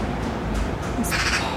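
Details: In a small London square park with trees and flowerbeds, an angry Eurasian magpie gives one brief, harsh, rasping chatter burst near the end, over a steady low rumble of city traffic.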